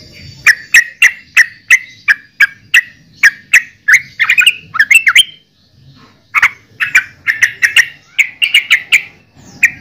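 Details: Yellow-vented bulbul (trucukan) singing: a fast series of loud, bubbly notes around mid-high pitch, repeated about three times a second with a brief pause before the chattering resumes.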